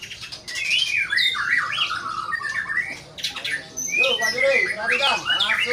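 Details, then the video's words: White-rumped shama singing wildly: rich whistled phrases sliding between low and high notes, broken by harsh squawky bursts, with a short pause near the middle before loud varied notes resume. "MURAI BATU METEOR TAMPIL EDAN"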